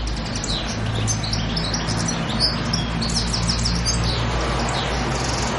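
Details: European goldfinch on the island of Pantelleria, 2 January 2011: a rapid tinkling twitter of thin, high chirps and short trills, partly masked by a steady low rumble and background hiss.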